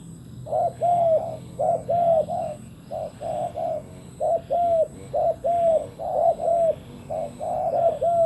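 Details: Decoy spotted dove calling to lure wild doves: low, hollow coos in short phrases of two or three notes, repeated about once a second, over a faint steady high whine.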